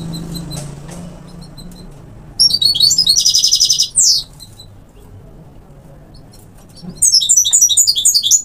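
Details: Parva European goldfinch sings two loud phrases of fast, liquid, jingling twitters with a buzzy trilled middle section. A short pause separates the phrases, and a soft low hum runs in the background.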